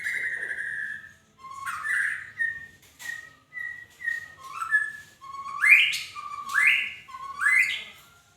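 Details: Magpie-robin in varied whistled song: a long steady whistle opens, then short level notes and clicks, building into repeated loud upward-sweeping phrases about one second apart; background quiet.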